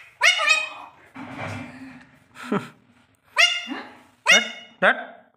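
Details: A talking Alexandrine parakeet gives sharp, harsh, speech-like bursts: one at the start, then three quick ones near the end. A low rustle and murmur fill the gap between them.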